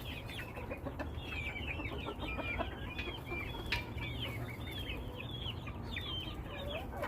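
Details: Many chickens in a kept flock calling together: dense, overlapping, rising-and-falling high peeps, a few lower drawn notes, and a steady low hum behind.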